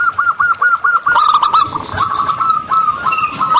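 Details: Wild local zebra dove in full song: a quick rhythmic series of curled cooing notes about five per second, running into a denser, blurred phrase with faint background calls.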